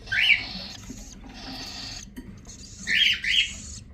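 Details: Newborn cockatiel chicks in the nest beg with harsh, raspy hisses and sharp rising squeaks while being fed by their parents.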